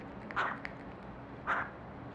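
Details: Hungry owls being handed treats give two short, hoarse mid-pitched calls about a second apart, each lasting a fraction of a second, over a low background hum.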